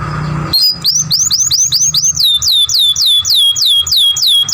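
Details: Young canary singing in a masteran song-training recording. A brief buzzy note is followed by a steady series of bright looping whistles, each curving up then down, repeated about three times a second.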